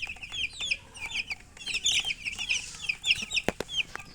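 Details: Baby chicks give bright, high peeps in quick overlapping series, with a few sharp knocks near the end.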